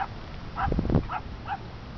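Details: A grebe fishing and swimming at Bolsa Chica State Beach gives three short, nasal barking notes about half a second apart, over a low rumble of wind and surf.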